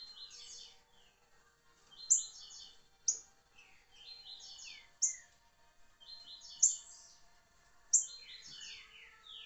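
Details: Rufous-bellied thrush, smooth-voiced, repeating short whistled phrases of stacked descending notes, each opened by a sharp high note, about every one to one and a half seconds.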